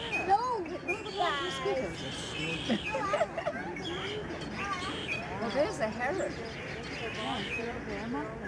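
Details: Snow geese in huge wintering flocks at a bird sanctuary in Delta, British Columbia, Canada, March 2011, honking as they fly and swirl down; dense overlapping wavering honks, a constant crowd chorus, with people talking nearby.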